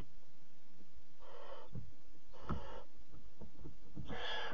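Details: Mother barn owl feeding a bird to her fourth chick at the nest, 3 a.m., 26 July 2017; three hoarse, hissing rasps spaced about a second apart, the last the strongest, over dull thumps.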